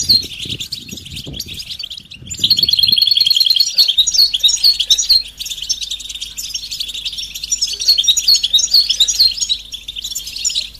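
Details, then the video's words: European goldfinch mating and readiness calls, the betbeta and setseta styles meant to make a quiet male sing: a crisp rapid trill at about two seconds, then jumbled high twittering with faint low knocks early on. "بتبتة فعالة و ستستة فتاكة رهيبة في علاج صمت الحسون"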